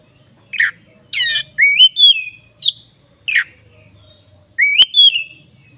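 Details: Black-breasted magpie-robin (kacer dada hitam) in full, steady song, used as a lure to restore a bird that has stopped singing: loud, clear, rising whistles and sharp slurred notes in separate bursts, over a faint steady high electronic tone.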